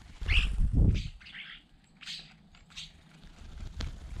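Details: Starlings crowding together in a jostling group, giving harsh, noisy squawks and chattering bursts with buzzy rasps, mixed with loud low thumps and scuffling nearby.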